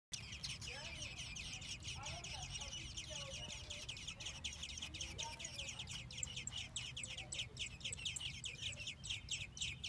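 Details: Nestling American robins in a Minnesota nest, fed by female and male adults, give a dense chorus of rapid, high, scratchy chirps, several per second, continuous throughout, over a low background rumble.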